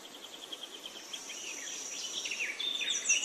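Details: High bird chirping: a faint, fast ticking series of notes at first, building into brighter slurred chirps and sharp whistles toward the end.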